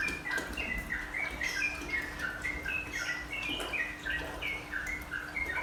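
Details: Sooty-headed bulbul song used as therapy to calm the bird and make it sing continuously in the nropel and menggaruda style. Quick chirpy, warbled phrases tumble one after another over a steady hiss and a low hum.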